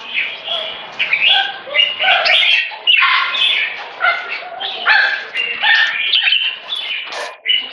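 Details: Captive red-whiskered bulbul (jambul) singing in the 'one stroke' style that leads into 'keke' phrases. The song is a dense run of warbled, chirpy notes with overlapping phrases and brief gaps.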